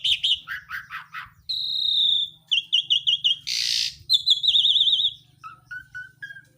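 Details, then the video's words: Bird singing energetically (gacor): strong repeated chirps, a long steady whistle, warbled rapid trills and a harsh burst, ending in lower drawn-out whistled notes, with faint low hum beneath. "burung gacor"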